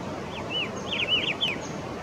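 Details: Blyth's shrike-babbler in India calling: a quick run of clear, high whistled notes, each arching up then down, several slurred together in a short phrase, over soft background hiss.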